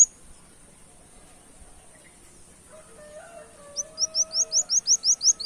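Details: Brown-throated sunbird singing in a canary-imitating style, used as a lure recording: after a quiet start, a fast run of sharp, high, upslurred notes repeats about five times a second, with a faint lower steady tone behind.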